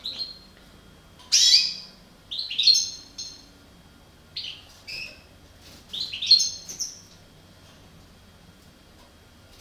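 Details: European goldfinch of the parva subspecies, one of a breeding pair, giving short scattered high chirps and twittering bursts with pauses between them, a faint low hum underneath.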